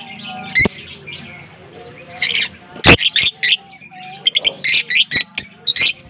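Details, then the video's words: Colony-living African lovebirds in Larkana let out a rapid series of loud, piercing squawks in quick clusters, set against soft background chatter and a few sharp knocks. "African lovebirds colony"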